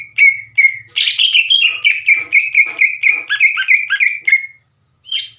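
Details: Singing green leafbird used to provoke young leafbirds into answering: a steady run of clear whistled notes near one pitch, fast and chattering, with buzzy overtones and faint low thumps beneath.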